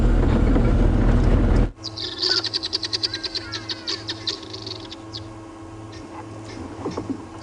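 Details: Helmeted guineafowl on an evening safari drive in Africa give a rapid, harsh, rattling alarm cackle, repeated every now and then, over a steady engine hum.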